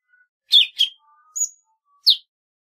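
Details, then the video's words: Golden-fronted leafbird singing: two sharp, down-slurred chirps close together, then a short high whistle and one more bright slurred note, with a clean, quiet background. "tiếng chim thanh tước"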